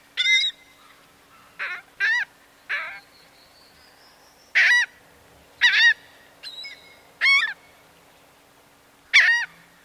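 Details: Single laughing gull calling in flight, loud nasal yelping notes spaced irregularly one to two seconds apart, some doubled, with a thin rising whistle-like tone between them.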